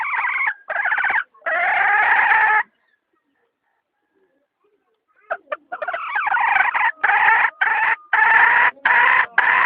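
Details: Hen giving loud, harsh, harmonic calls in a quick burst of syllables, then a pause of about two and a half seconds, then a longer run of choppy, repeated cries.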